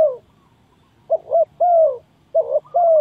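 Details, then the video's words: Spotted dove call used to lure doves into a trap: a falling coo, a short pause, then two quick note pairs each ending in a longer, mellow, descending coo. "Very Good Trap dove"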